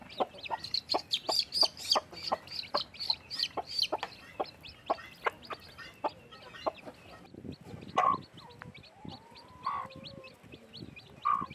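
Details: Freshly hatched chicks with their blackish mother hen: a steady series of sharp, high peeps roughly every third of a second, then a few louder, lower calls and clucks toward the end.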